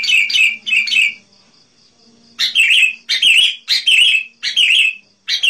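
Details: Sooty-headed bulbul singing actively, recorded to attract wild bulbuls: short bright phrases, then a series of loud clipped chirping bursts spaced about half a second apart.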